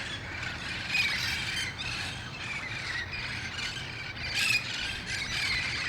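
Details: Dusk gathering of wild red-faced parrots in El Cajon, August 1, 2018, before heading to roost trees nearby; shrill, scratchy squawks repeat in quick bursts, a sharp loud peak near the end.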